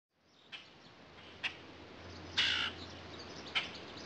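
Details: Common grackle in a backyard, giving short harsh chack calls about once a second, with one longer, louder raspy squawk near the middle over a steady low hum.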